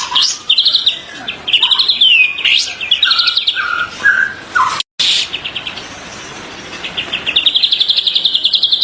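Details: Training song of the white-rumped shama for captive birds, 2024. A fast, varied sequence of high trills, buzzy rattles and slurred whistles, with a brief silent cut midway. A rapid pulsed trill closes the passage.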